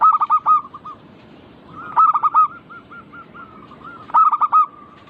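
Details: Local zebra dove song, recorded as a lure to get caged doves singing. Loud clusters of four to five rapid, rolling coos come roughly every two seconds, with quieter trailing coos in between.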